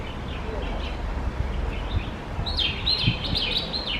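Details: Red-whiskered bulbul making sounds while eating, filmed close up; faint chirps at first, then a quick burst of louder, bright, wavering notes over low rumbling noise.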